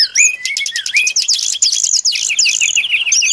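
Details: Lure song of the brown-chested jungle flycatcher, played for trapping: loud, dense high warbling with rapid clicking trills and twisting whistled notes, continuous throughout with no gaps.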